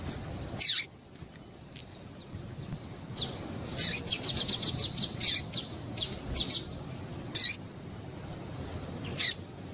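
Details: Double-collared seedeater female giving calls meant to stimulate males to sing: scattered high, bright chips, then a quick burst of rapid repeated notes near the middle, with further isolated chips toward the end.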